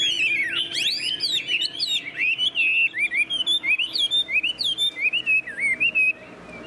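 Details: Chinese hwamei, tame and caged, delivers a fast, varied song of loud clear whistles, slurring and swooping in pitch, strung into quick continuous phrases before stopping abruptly.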